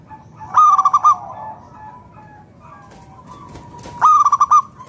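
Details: Zebra dove, a local bird in full voice, singing as a lure for other doves: two rapid pulsed coo phrases about three and a half seconds apart over faint background cooing.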